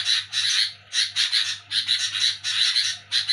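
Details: Sooty-headed bulbul giving noisy, harsh chattering calls at night while people sleep: rasping broadband bursts in quick runs, several per second, with short pauses between runs and a faint steady low hum underneath.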